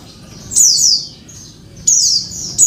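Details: Female Oriental white-eye call aimed at a male, used as therapy for a bird that has stopped singing: three piercing, high, falling notes, each a short slurred squeak, with gaps of about a second.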